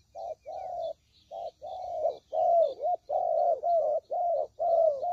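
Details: Lure recording of spotted dove for trapping: rhythmic low coos, first short then longer and louder, several ending in a wavering downward twist, about two a second, with faint high chirping in the background.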